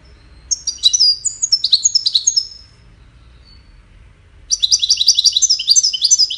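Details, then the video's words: Goldfinch song with courtship and communication roles: a twittering run of bright high notes, a two-second pause, then a denser, faster burst of tumbling chirps. "The Songbird's Crown: Witness the Majestic Goldfinch Singing"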